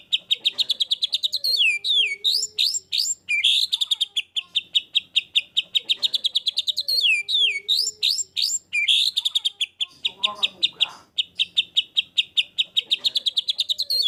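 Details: White-rumped shama, 'gacor full tembakan' singing: bursts of rapid trills and sweeping whistles repeated in cycles, with a short pause between volleys.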